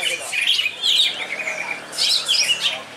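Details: Yellow-headed greater green leafbird at a bird-song contest in extreme weather, singing a fast, unbroken run of high, chattering and whistled phrases shifting constantly in pitch, with faint voices, laughter and clapping around it.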